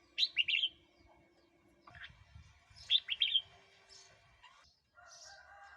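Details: Red-whiskered bulbul singing, used to excite wild birds or train young ones: two quick bubbling warbled phrases, then softer scattered notes, with low rustling sounds in between.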